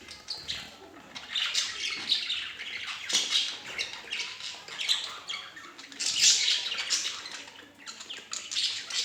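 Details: A pair of budgerigars chattering continuously, with dense high warbling, squeaks and chirps rising and falling in bursts, loudest around the middle and near the end.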